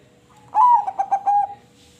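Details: One short song phrase from a crossbred zebra dove: a rising whistled coo that breaks into three or four rapid rolling pulses and ends in a sustained mellow note.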